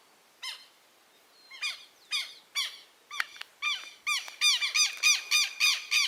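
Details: Southern lapwing chicks, noisy right after hatching; scattered squeaks building into a quick, regular run of short arched peeps, growing denser and louder.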